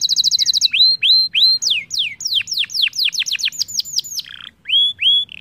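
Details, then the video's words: Lively canary song played as a lure to get other canaries singing: a fast high trill, then looping upswept whistles and rapid cascades of descending notes, with a short pause before more rising whistles. "Pancingan Kenari Gacor"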